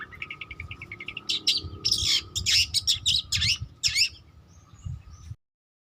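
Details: Long-tailed shrike fledgling learning its song: a soft run of quick ticking notes builds into loud, harsh, scratchy bursts and chattering phrases, then fades to silence near the end; low background rumble throughout.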